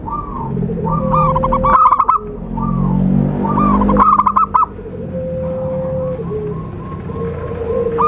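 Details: Zebra dove lure sound for bird trapping: soft rounded coos build into two brief, sharp stuttering bursts, with a level tone and muffled rumbling in the background.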